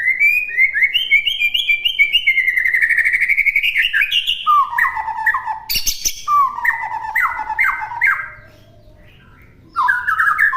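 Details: Oriental magpie-robin singing as a master recording for imitation: long varied stream of whistled slurs, repeated trills and falling chattered notes, a sharp click midway, and a brief pause before resuming.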